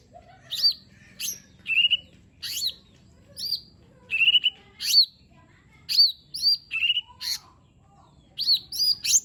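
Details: Lesser green leafbird singing varied fill-in phrases to draw a reluctant bird into song: clear whistled sweeps, level notes and buzzy chips in grouped bursts with short gaps.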